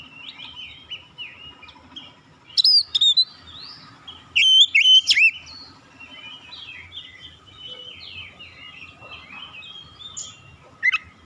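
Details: Oriental magpie-robin singing: bright, varied whistled phrases with rising and falling slurs, loudest bursts near three and five seconds, softer twittering between them, and a steady low hum underneath.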